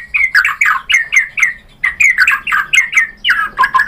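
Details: White-rumped shama singing to prompt other birds to answer: a fast run of loud, squawky warbled phrases repeated roughly every quarter second, rich and harsh, with a faint low hum.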